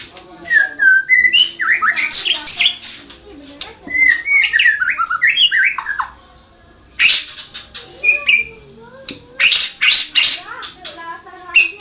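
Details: National champion white-rumped shama singing energetically: quick sequences of sliding whistles and harsh squawky notes, a pause near the middle, then loud rasping bursts and chattering phrases.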